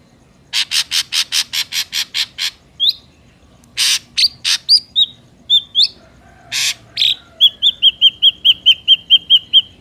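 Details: Ashy drongo song used as a trapping lure: a fast series of harsh, buzzy notes, then mixed rasps and sliding whistles, ending in a rapid run of high whistled notes.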